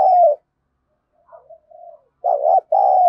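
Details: Spotted dove kept as a decoy, scolding wild doves in a harsh thổ sấm voice: end of a loud coo, a pause with soft murmured notes, then a strong rough double coo, short then long.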